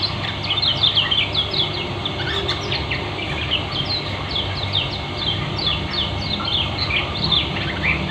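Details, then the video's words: Ngeriwik speed rapat song of a Lombok white-eye (kecial kuning) used as therapy: continuous fast high twitters and squeaky slurs, a brief sharp click near two seconds, low hum throughout. "Pleci lombok kecial kuning ngeriwik speed rapat"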